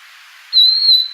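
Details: Fork-tailed sunbird, natural sound: a single thin, high whistle held steady for over half a second, ending with a faint click.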